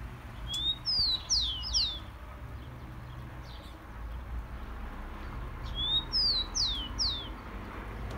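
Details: Rufous-collared sparrow (tico-tico), Brazil, song played to warm up captive birds: two identical phrases about five seconds apart, each a short rising whistle followed by three bright descending slurred whistles, with steady low background hum.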